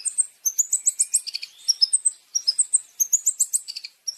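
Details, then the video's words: Masteran-style long-tailed shrike song with rich champion fill-in variations: clusters of fast, high chirps and squeaky whistles, broken by short silent gaps, with a few lower slurred notes. "Masteran Burung Cendet Terbaik 2026 | Full Isian Juara Nonstop"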